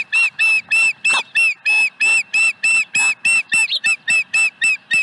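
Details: Osprey at its nest at Dunrovin Ranch on 5 May 2020, with a fourth fish delivered: fast, evenly repeated piercing chirps, over three per second, each a bright whistled note, with a brief rising squeal partway through.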